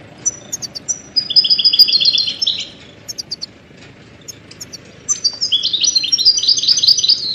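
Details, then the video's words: ['Goldfinch song meant for training songbirds: high chips followed by two bright, rapid trilled phrases of liquid repeated notes, separated by a pause of scattered soft chirps, with steady background hiss.'] "Goldfinch ringtones for hunting and high motivation"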